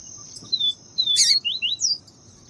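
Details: Papa-capim viviti (Yellow-bellied Seedeater) in the clean viviti song style, with a female calling to excite the male: short thin whistled slurs, some rising and some falling, plus a sharp click, over a steady high whine.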